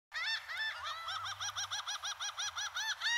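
A laughing gull gives a rapid series of nasal, rising-falling 'ha-ha' notes, about five per second, with a low background rumble.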